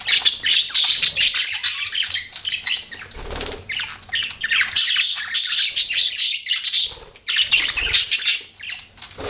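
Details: Pet budgerigars give a steady stream of high, scratchy chirps and squawks, dense warbling chatter with small dips in loudness.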